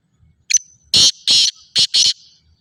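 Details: Harsh rhythmic call of a black francolin (Sindhi kala teetar): one short high introductory note and four loud, scratchy buzzing notes, the last two closely paired.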